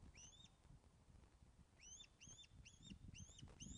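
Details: Osprey piping at the Loch of the Lowes nest, Scotland, on 24 August 2012 around 14:10 during a fish delivery, captured by webcam; two whistled upslurs, a pause, then a rapid run of five sharp rising cheeps over low background hum.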